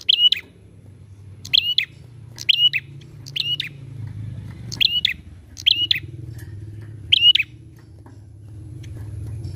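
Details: Prinia lure song to prompt other birds: seven quick chirp-whistle-chirp phrases in the first eight seconds, then only engine-like rumble that grows toward the end.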